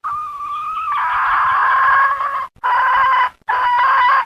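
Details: Hen uttering a steady tonal note that shifts into a long, raspy, buzzing drawl, followed by two more shorter harsh segments with brief gaps between.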